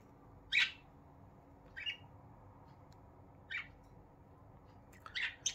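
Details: Pet budgerigars kept indoors during their morning routine, giving happy sounds: a few short, sharp chirps spaced over several seconds, with a quick double chirp near the end, over a quiet room hum.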